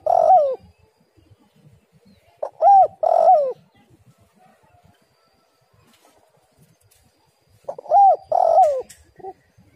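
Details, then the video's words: Spotted dove, female call used as a lure to make other doves call; two groups of loud, hooting coos, each a short note followed by a longer falling, warbled coo, with a quiet gap between groups. "tekukur super gacor suara pancingan betina"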